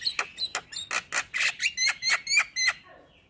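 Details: Male Javan myna singing to prompt other mynas to join in: a run of about ten harsh, buzzy broadband notes, some with a whistled edge, spaced roughly a quarter second apart, then trailing off.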